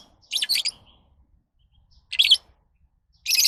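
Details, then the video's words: Lovebirds calling: three short bursts of harsh, buzzy, high chirps, each about a quarter second long, spaced roughly a second or more apart in an otherwise quiet setting. "Love birds Sounds"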